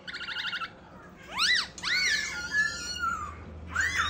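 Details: White-cheeked laughingthrush kept as a cage bird, singing while dancing: a short buzzy stuttered phrase, then loud arching whistled slurs that rise and fall, ending with a rising squeal.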